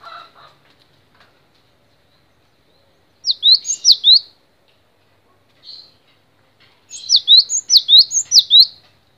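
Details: Cinereous tit delivering short bursts of three to five sliding whistled notes, with a lone note in between and long quiet gaps, the last burst the most energetic.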